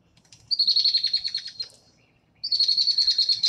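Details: A female Red-winged Blackbird gives her chatter song, two bursts of rapid, harsh, high-pitched buzzy notes, each about a second long, over a faint low background hum.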